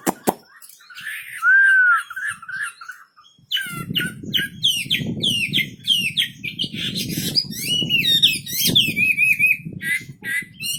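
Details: Vigorous song of a wambi bird: a clear downslurred whistle, then a dense run of sharp chattering and twittering high notes over a low rumbling background.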